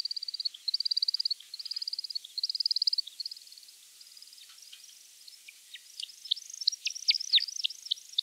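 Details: American woodcock spring display flight over a forest clearing or open grassland beside scrubby woods, flights starting around early March: fast, high twittering wing bursts, then sharp, liquid chirps dropping in pitch as it descends.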